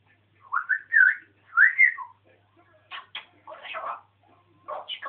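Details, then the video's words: Pet African grey parrot on a rant, starting with several rising whistled notes, then chattering in short, rough, speech-like bursts in a quiet indoor setting. "african grey jo-jo talking"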